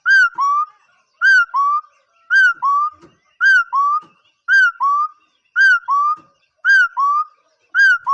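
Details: A steady series of two-part whistles from a bird, each a high falling note then a lower rising one, repeating about once a second. Soft clicks can be heard between the calls.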